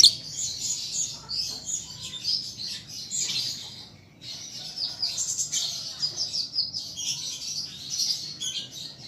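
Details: Young lovebird learning to sing, kept as a cage bird: continuous high, dense chattering and squeaky twittering with short pauses, slightly masked by a low background hum.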